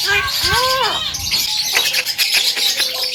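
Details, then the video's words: Javan myna in full song, kept as a master recording for training other birds: a few loud slurred whistles rising then falling, followed by softer scattered notes against continuous high-pitched hiss. "SUARA BURUNG JALAK KEBO PALING GACOR"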